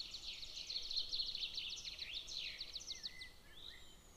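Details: Golden eaglet at a nest camera near a military training ground, June 22, 2024: rapid bursts of high, sharp chipping notes, then a few thin, sliding whistles near the end.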